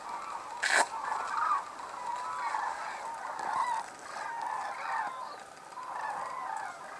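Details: Hooded and White-naped Cranes gathered at Arasaki Crane Center, Kyushu, Japan, in snow; a more distant chorus of overlapping trumpeting calls, with one sharp nearby knock early on.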